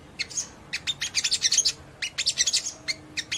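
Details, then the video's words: A ruby-cheeked sunbird sings bursts of high, sharp, rapid chirps and twitters in quick clusters, with short pauses between runs; used to provoke other ruby-cheeked sunbirds to respond and sing. "PENDONGKRAK EMOSI SEMUA SOGON MANA TAHAN DENGAR INI"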